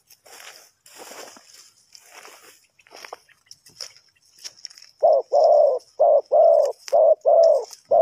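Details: Spotted dove coo for luring wild birds in trapping, Ninh Thuận: rustling and clattering noise first, then from about five seconds a run of loud, hoarse coos in close, evenly spaced pairs.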